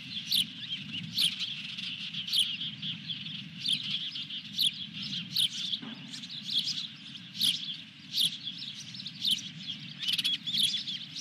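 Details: Ospreys calling at a ranch nest on 23 June 2021 with a fish brought in. A long run of thin, high piping chirps, roughly one or two per second, over a constant low hum with scattered clicks.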